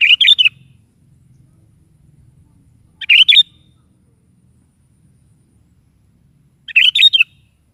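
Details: Sooty-headed bulbul singing energetically in the morning, used to prompt a pet bulbul to answer. Three short, bubbly, warbling phrases arrive about every three and a half seconds, with quiet gaps between them and faint low background rumble.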